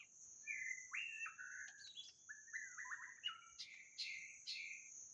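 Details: Shama song for luring, white-rumped: whistled phrases with slides and quick jumps between pitches, some harsh notes near the end, heard through steady background hiss and a thin high drone.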